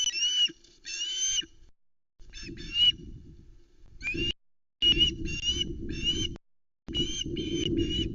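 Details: Juvenile osprey still screaming while mantling over a headless flatfish delivered by the adult male to the Loch Arkaig nest, 17 August 2020, nest cam; shrill whistled screams in bursts over heavy wind and nest-movement noise.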